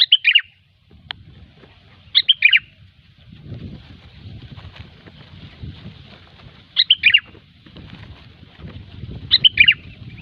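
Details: Sooty-headed bulbul singing in the gecor style, a recording used as a trapping lure: short bubbly whistled phrases of three to four notes, roughly every two to three seconds, over a steady low rumbling background.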